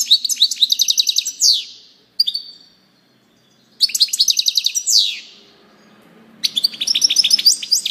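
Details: Three goldfinch song bursts separated by pauses, each a quick series of liquid twittering notes ending in a downslurred buzzy trill.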